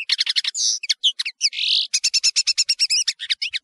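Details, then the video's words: European serin, known as nino in Algeria and camacho in Morocco, from a song tape for tutoring serins: a rapid, high jangling stream of short chirps, broken by two drawn-out buzzy notes, with no other sounds. "تغريد طائر التفاحي"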